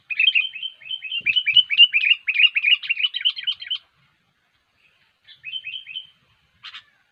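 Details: Sooty-headed bulbul, kutilang, in energetic gacor song meant as a trapping lure; a long rapid stream of twittering, warbled notes for nearly four seconds, then silence and a short repeated phrase.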